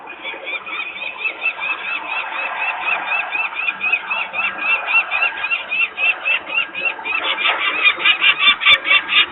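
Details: Peregrine falcons in Włocławek, Poland, screaming near the nest as workers make noise on 23 May 2022, young still on the ledge; a long, dense run of harsh cackling notes that grows louder and faster toward the end.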